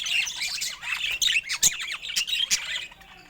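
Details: Colourful pet budgies produce lively warbled chatter of quick rising and falling squeaks and sharp chirps, several notes stacking in rapid succession.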